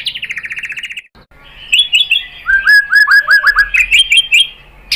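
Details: White-rumped shama song used as a lure to provoke other birds to answer and sing, showing its filler material: a rapid rising trill of chirps, then a short pause and a run of varied whistled and slurred notes.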